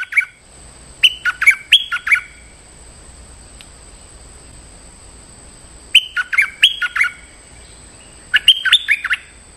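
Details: Stripe-throated bulbul calling out a territorial resident, lure recording: three well-separated bursts of rapid, clear whistled notes, each lasting about a second and a half, with quiet gaps between.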